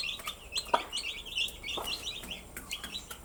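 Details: Small chicks give bright, high, clipped peeps in quick succession, overlapping into a lively twitter. A couple of thuds occur early on.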